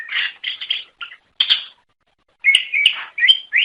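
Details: Greater green leafbird singing to attract others of its kind: short clustered chirps and buzzy notes, a gap of about a second, then a quick series of bright whistled phrases.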